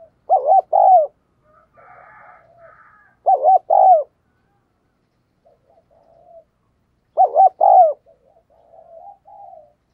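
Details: Decoy spotted dove calling strongly to draw wild doves; three loud coos about every 3.5 to 4 seconds, each two short notes and a longer falling note, with soft low murmuring in between.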